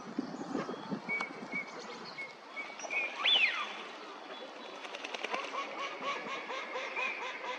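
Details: A wintering Eurasian teal (Anas crecca) at a park pond in Chiba, Japan, in February gives a single clear, high whistled note that bends up then drops, over steady background rustle and faint scattered duck sounds.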